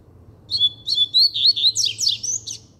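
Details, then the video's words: Firm song of a double-collared seedeater: clear high whistles giving way to fast, steeply slurred chirps and a buzzy ending, delivered without pause over a faint low background hum. "Braddock Cantando Firme"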